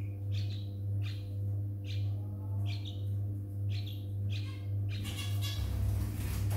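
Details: Baby yellow-vented bulbul, one of two young birds found on the ground on a Wednesday morning after a night thunderstorm, then taken indoors: high, slightly descending chirps repeated about every 0.8 seconds over a steady low electrical hum.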